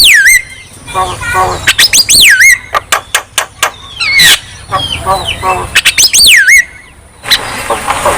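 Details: Javan myna singing to encourage lazy birds: loud looping whistles that swoop down and up, interspersed with harsh raspy notes and short chatters.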